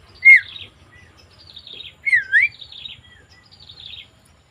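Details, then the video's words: Javan myna recorded on 20 May 2024: two loud, clear whistled notes, the second a swooping dip and rise, set among scratchy, buzzy high chatter that comes in short bursts, over a faint low background rumble. "Suara Burung Jalak Kebo"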